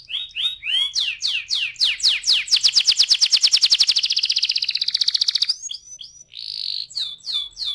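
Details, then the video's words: Canary used as a fast training lure for a rolling song: swept whistles speed up into a long, fast, buzzy trill that lasts about three seconds, then breaks into varied chirps and a bright sustained note. "PANCINGAN TERCEPAT dan SUKSES BIKIN KENARI GACOR NGEROLL"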